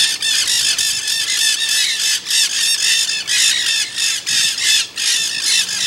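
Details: Nanday parakeets in the Santa Monica Mountains, Greater Los Angeles, California, on 24 October 2020, chatter in harsh, grating squawks, with bursts overlapping almost continuously at about three per second.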